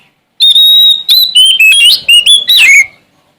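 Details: Oriental magpie-robin from Sumatra singing in challenge to rivals: a held clear whistle, then a string of five or six quick whistled phrases stepping up and down, ending on a louder swooping, slightly harsh note.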